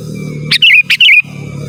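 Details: Sooty-headed bulbul singing to call rivals, as a lure for wild birds and a tutor for kept birds: two quick bursts of loud warbling whistled notes in close succession over a low hum and a thin steady tone.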